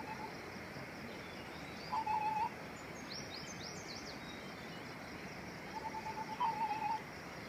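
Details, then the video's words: White-browed scimitar babbler in Bhutan gives two short, low, fluty quavering phrases about four seconds apart, with thin high chirps from another bird and a steady noisy background. "White-browed Scimitar Babbler"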